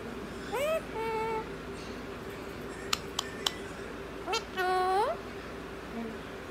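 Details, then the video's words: Parrot talking in Punjabi with drawn-out, voice-like syllables that rise in pitch, three sharp clicks between them, and a constant low hum in the room. "methu full Punjabi talking very funny vedio"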